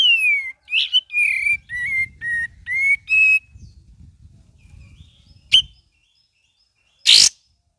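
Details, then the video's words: Cream-vented bulbul in full gacor song with ngeriwik variation: a run of about eight clear whistled notes, falling then rising, delivered in quick succession, followed by a sharp chip and one loud harsh burst after silence. "KAPAS TEMBAK VARIASI GACOR DAN NGERIWIK"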